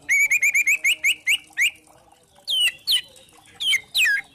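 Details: White-rumped shama of the spotted form, in a kretekan meant to stir other shamas to sing: a quick run of clipped repeated notes slowing down, followed after a pause by several loud, sharp, down-sweeping whistles.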